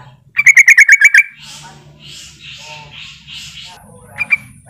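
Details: Sooty-headed bulbul calling a rival, used to coax other bulbuls into calling. One loud run of about seven ringing chattering notes is followed by breathy rustling sounds, a steady low hum and a final quick double chirp.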